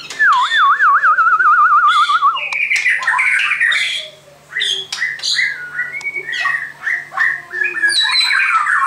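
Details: A white-crowned shama opens with a fast wavering warbled whistle, then runs into a jumble of loud varied whistles, chips and squeaky notes over a constant low electrical hum.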